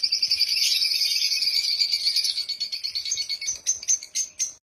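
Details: Happy African lovebirds give steady high, rapid chatter that breaks into separate sharp chirps and ends abruptly.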